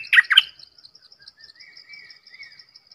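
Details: Red-whiskered bulbul song: a loud, quick phrase of two bright, warbled notes in the first half-second, then silence apart from a steady high ticking of insects in the background.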